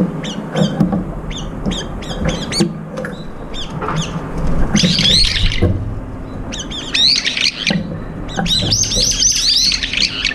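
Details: Competing for food, several brown-eared bulbuls, one handicapped in the left foot, utter short sharp chips in quick series, then bursts of loud, shrill, wavering squeals near the middle and at the end, over faint rumbling.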